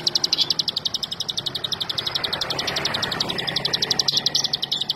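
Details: Olive-backed sunbird (ciblek) singing a rapid, steady run of sharp high chips, about four per second, sustained for the full five seconds over faint background hiss.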